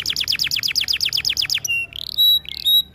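A canary sings a fast trill of about a dozen high, falling notes, about eight a second, then switches to rising whistles and clear, steady high tones.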